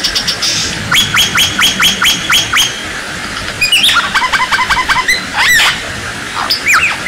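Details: Captive white-rumped shama training song for contest birds: a row of rapid upslurred whistled notes, then scattered varied notes and twisting whistles, with a steady hiss in the background.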